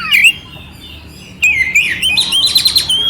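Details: Oriental magpie-robin singing clear notes with rough fill-ins to provoke another magpie-robin; a whistled phrase, a quiet pause, then rising and falling whistles ending in a fast buzzy trill.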